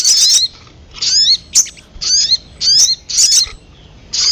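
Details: Sogon call played to lure birds: short phrases of high, slurred, downward-bending chirps, repeated roughly every half second to second with quiet gaps between.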